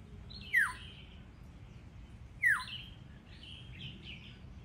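Black-hooded oriole giving two loud, sharply falling notes about two seconds apart, followed by softer warbled notes, over faint background hiss.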